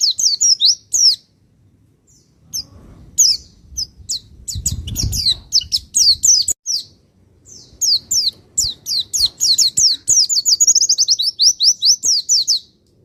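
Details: Javan white-eye from Pacitan, master recording for provoking other birds: long sequence of high, sharp chirps in quick phrases, a short pause with low rustle, then a dense rising run of rapid notes.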